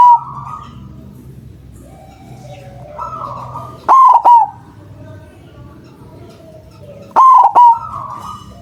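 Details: Loud white zebra dove calling as a trapping lure, two ringing coo phrases of three to four clipped notes about three seconds apart, with softer, fainter cooing from another dove in between.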